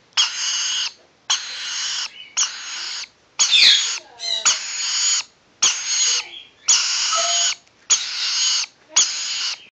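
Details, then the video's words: Rainbow lorikeet chicks, almost seven weeks old, enjoying a scratch; harsh, raspy, broadband screeches in nine bursts of under a second each, repeated roughly every second, with a few short squeaks between bursts. "Rainbow lorikeet chicks enjoying a scratch."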